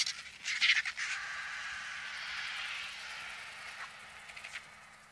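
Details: Vultures swarming a bull African savanna elephant carcass in the African bush give loud, choppy, rasping squawks at first. These settle into a steady hissing roar that slowly fades.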